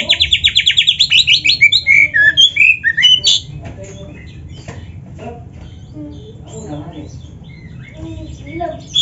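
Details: Black-breasted oriental magpie-robin (kacer) in vigorous song with canary fills: a fast run of buzzy repeated notes about twice a second and twisting whistles, then long near-silence with faint distant notes.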